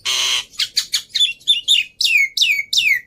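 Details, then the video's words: Black-winged myna on a training lure track: a harsh buzzy rasp followed by a run of loud, falling, squeaky whistled notes, each sliding downward. "Pancingan Plus Masteran Burung Jalak Putih full Isian Mudah Di Tiru"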